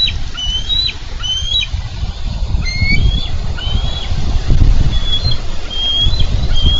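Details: Two wild bald eagles at a Minnesota nest, July 4, 2013, struggling over a carp. Clear high whistled chitters, each note a short falling or rising slur, come in quick series above low wind and scuffling noise.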